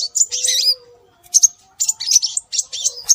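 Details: Lure recording of scarlet minivet calls meant to draw birds in: high, thin whistled notes, a longer warbling phrase at first, then clusters of sharp chirps repeated at short intervals, with a soft low tone underneath.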